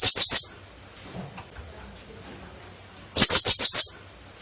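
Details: Female blue-crowned hanging parrot, kept as a breeding hen, giving two loud bursts of very high, shrill, rapidly repeated squeaky notes, four to six per burst, separated by about 2.5 seconds of near silence.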